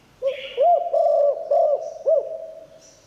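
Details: Spotted dove singing in the Thai 'liu tan' style, a song said to draw in wild doves: a low, steady hum-like coo with four looping, swelling notes over about two seconds, after a brief hissing burst.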